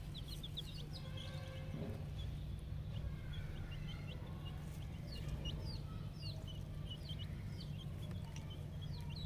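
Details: Ten-day-old domestic chicken chicks in a poultry farming setting give many high, sharply rising and falling peeps, overlapping rapidly from several birds, over a constant low electrical hum.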